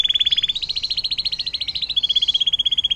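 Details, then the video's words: Atlantic canary 'air mancuran' song for tutoring other songbirds: an unbroken, fast pulsing high trill, stepping slightly up, then back down in pitch. "KENARI DENGAN LAGU AIR MANCURAN PANJANG"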